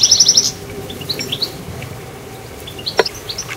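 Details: Goldfinch in a garden: a quick run of five bright, high chirps, then scattered soft twittering notes and a sharp click, over steady background noise.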